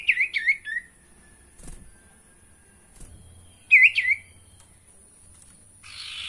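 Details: Sirtu singing, played to coax caged sirtu into song: a burst of three looping, down-slurred whistles, silence, then a second similar wavering whistle phrase, a brief hiss at the end.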